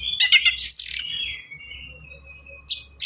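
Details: White-rumped shama, a fast singer used to tutor other birds: rapid loud bursting notes followed by a long, thin fading whistle and another sharp burst at the end.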